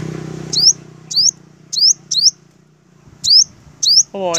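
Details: Olive-backed sunbirds facing leader males: sharp rising whistled notes, each quick and high, given in two runs of three with a short gap between, and a man's voice starting at the end.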